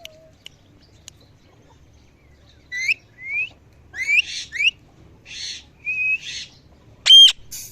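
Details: Parrots chirping at evening, a series of whistled, bending notes and buzzy squawks, ending in a loud sharp shriek.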